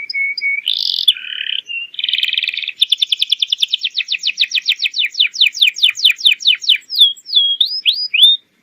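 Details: Atlantic canary lure song for training young birds to sing and answer quickly: steady high notes, a harsh buzzy burst, then a long fast trill of sharp repeated chirps that gradually spread out, ending in looping slurred whistles.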